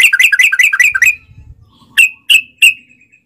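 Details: Sooty-headed bulbul lure recording: a fast run of bright, bubbling chirps for one second, then quiet, then three separate sharp whistled notes.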